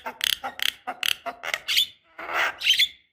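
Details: Javan myna calls used as a lure to get young mynas singing: a string of short harsh, raspy chattering bursts, then a broader scratchy note ending in a thin high whistle.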